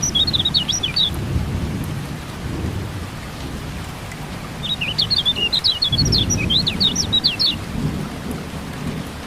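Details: Kecial kuning (white-eye) singing in a rain-therapy recording meant to get silent birds singing: two bursts of rapid, high twittered chirps, the second longer, over steady rain and low rumbling thunder.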